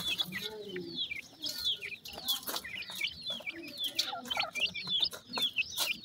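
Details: Pheasant chicks eating feed, possibly alongside partridges; many high, downslurred peeping calls overlapping rapidly, with pecking and scratching clicks in between.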